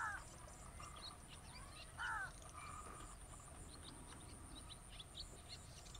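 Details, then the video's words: Sand martin (bank swallow) in paddyfields in Selangor, Malaysia, on 24 December 2023, giving two harsh, buzzy notes about two seconds apart, with faint high twittering and a steady low rumble behind. "Bank Swallow"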